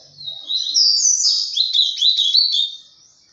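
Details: Ultramarine grosbeak in mineiro pena branca song style, giving one long, continuous warbling phrase of fast, rising and falling slurred notes that ends abruptly.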